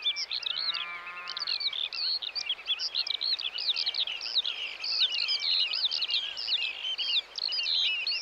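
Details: Eurasian oystercatchers in the Netherlands, a territorial species, call in a dense, shrill chorus of rapid, overlapping piping notes, with a brief low, droning honk near the start.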